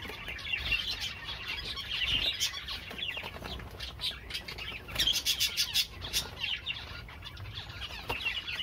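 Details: Java sparrow song as a continuous high twittering chorus, with bursts of rapid clicking and fluttering around the middle and a faint low rumble underneath.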